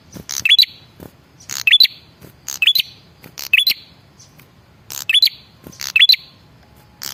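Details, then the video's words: Repeated lure call of a male red-headed prinia, meant to prompt replies: harsh, crackling chirp bursts with a high rising whistled tail, about seven phrases at a steady, brisk pace. "suara pancingan burung prenjak kepala merah jantan"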